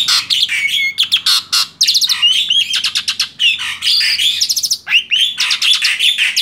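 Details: Male black-winged starling, a tame bird in full song: a loud, varied run of harsh chattering notes mixed with sharp whistles and stacked squawky phrases, packed nearly without pause.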